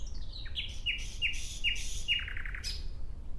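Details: Nightingale singing a phrase of clear, evenly spaced notes repeated about every third of a second, ending in a sharp high flourish.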